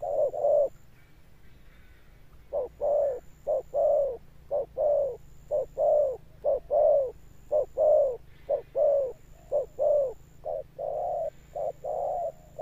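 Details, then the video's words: A spotted dove delivers deep 'thunder-tone' coos with a persistent end. After a brief pause, a steady series of low, hollow notes alternates quick clipped coos with fuller drawn ones, keeping a regular rhythm throughout. "Cọp Đẹp Như Tranh, Gù Âm Sấm_ Nước Tiền Bổi kèm dậm nghe chỉ có phê. Gù Hậu Bền Bỉ."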